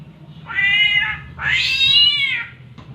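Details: Two long, nasal, cat-like wails, the second louder and arching in pitch, from an Oriental magpie-robin imitating the mating call of a cat.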